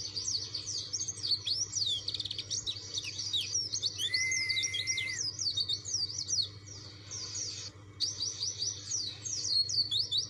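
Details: Persistent white-eye of the dakun type, song aimed at provoking rivals: long, fast, high twittering with tumbling notes, a short sustained lower tone near the middle, then clipped repeated phrases; low hum behind.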